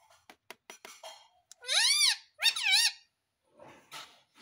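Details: Pet Indian ringneck parrot, a talking bird, clicks several times, then gives two loud arched screeches, each rising and falling over about half a second, followed by a soft raspy call.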